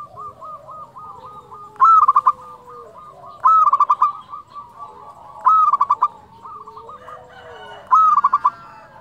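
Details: Zebra dove, a local Indonesian perkutut with a flute-like voice, used as a master bird to rouse other doves. Four loud phrases, each a hooked opening note then rapid clipped coos, come roughly every two seconds over a background chorus of softer doves.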